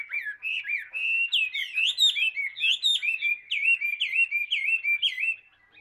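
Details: Tame hwamei singing steadily, a chain of sweet whistled notes that rise and fall in quick succession, loud and even, ending abruptly into near silence.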